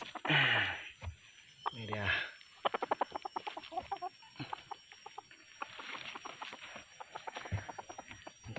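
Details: Freshly trapped wild red junglefowl cock with yellow plumage, caught using a decoy. Two harsh squawks open the recording, followed by rapid clicking and rustling from handling, with men talking nearby.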